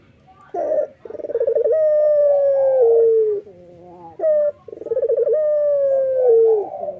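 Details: Male local Barbary dove calling busily in the morning: a clipped opening note, a rapid pulsing coo, then a long sustained note gently falling, the phrase repeated after a soft low murmur and brief sharp note.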